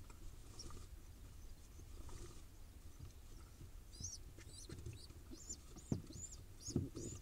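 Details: Wild pigeon nestling in Israel, hungry and being fed. After a few seconds of low rustling, it gives a run of short, high, arched squeaks about every half second. Soft thumps and scraping are heard in the nest.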